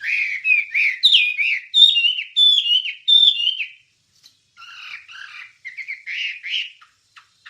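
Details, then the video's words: ['Wambie song recorded as training material for songbirds, with a string of clear, slurred whistles stepping down in pitch, then a pause and softer, buzzy warbled phrases.'] "Ocehan Suara Burung Wambie"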